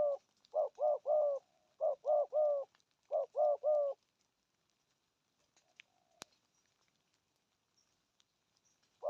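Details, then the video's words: Spotted dove in deep-toned 'thúc gù' cooing. Three triple-note coo phrases come in quick succession, followed by about five seconds of near silence before the cooing resumes. "Thổ âm cực phê! thuc gù thúc kèm bài bản"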